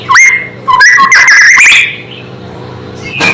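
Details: White-rumped shama song that reportedly angers other shamas: a rising whistle, a jumble of rich warbled notes lasting about a second, a long fading quiet, then one last sharp note, above a low hum.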